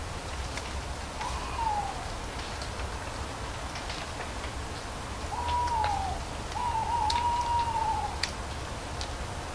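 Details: Owl giving three smooth hoots at a mid pitch, the first and second short and falling, the last longer and level, set against sparse crisp ticks of falling leaves.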